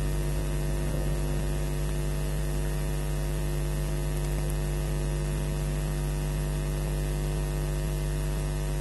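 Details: Only a loud, constant electrical hum and static from a nest camera feed are heard, with no animal voice.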